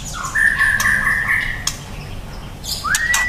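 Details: Young white-rumped shama: a long level whistle held for over a second, a pause with scattered clicks, then a smooth upward-sweeping whistle ending on a high clear note.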